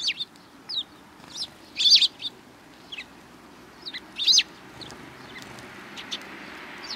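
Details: Sparrows coming to be fed on the front approach of a Tenmangu shrine, 12 April 2020: bright, short chirps scattered irregularly, several louder double chirps near two and four seconds, over a quiet background.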